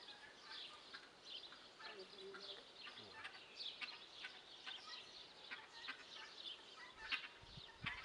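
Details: Guineafowl giving dense, chattering, high-pitched calls, with many overlapping harsh notes repeated throughout and a few lower clucks.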